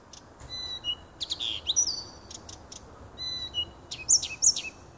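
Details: Nightingale song from a small wood near a home, 30 June 2015: scattered clicks and thin whistles followed by sweeping, slurred high notes, delivered in uneven bursts over a quiet, low-level background.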